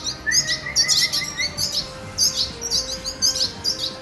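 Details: Red siskin chicks in a breeding setup beg at feeding with rapid, high, scratchy chirps in quick bursts, several times a second, with a short run of softer whistled notes near the start.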